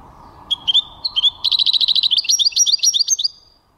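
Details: European goldfinch song from 2023: a few separate chirps open, then a quick stream of rattling, bubbly notes and bright twitters runs for about two seconds over a faint hum.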